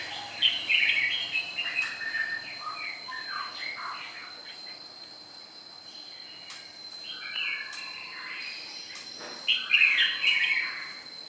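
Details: Wild-caught red-whiskered bulbul from Nghe An, Vietnam, gives bright, fluty chirping phrases, loudest at the start and near the end, over a steady high insect whine.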